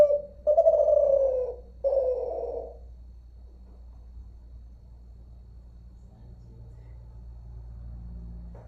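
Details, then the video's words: Kelantan-type zebra dove from Malaysia, unedited: two strong, slightly falling rolling coos in the first three seconds, then only a low steady hum with no further calling. "Suara terkukur @ derkuku mp3 tanpa edit"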